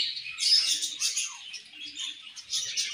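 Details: Eating budgerigars chirp as a group, giving high, thin squeaky notes and quick warbled chatter that rises and falls in irregular pulses.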